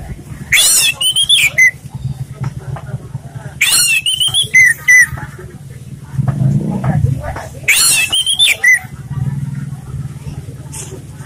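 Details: Orange-headed thrush in calm song used to train other birds: three loud whistled phrases, each with quick rising and sliding notes, spaced about three to four seconds apart over a background of steady human speech.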